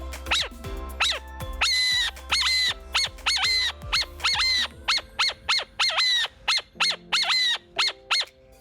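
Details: A captive, human-imprinted male burrowing owl weighing about 6 oz gives a rapid run of sharp, high yipping notes, two or three a second, over a faint hum; this is the alarm call given on spotting predators.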